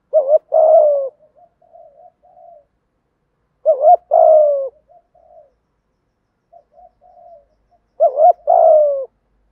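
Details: Thổ voice of male and female spotted doves for stimulating training birds: three cooing phrases about four seconds apart, each a double wobbling note and a long falling coo, with soft quiet notes filling the gaps.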